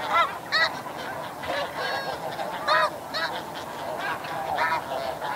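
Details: Snow geese calling in flight over Chincoteague, Virginia, U.S.; several clear, barking honks stand out at irregular intervals against a steady murmur of flock calls.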